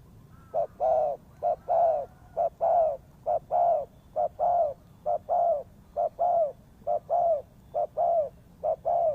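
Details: Spotted dove cooing as a trapping lure: a steady, regular series of low, soft coos, short notes paired with longer drawn-out ones, repeated about once a second with almost no pause.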